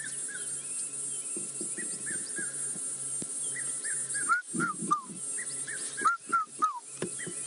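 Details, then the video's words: A Red-chested Cuckoo calls in the background at Djuma, South Africa, on a hot, humid, muggy summer afternoon on 23 November 2016: two runs of three loud, whistled notes, each falling in pitch, over a steady shrill insect drone and a low engine hum. "You can hear that beautiful red-chested cuckoo calling in the background. You should hear it."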